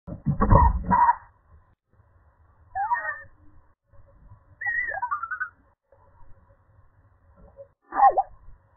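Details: European starlings checking out a flicker nest box, recorded by a nest-box camera: a burst of rough clicking noise, then separate whistled slurred notes that rise and fall, with quiet gaps between them.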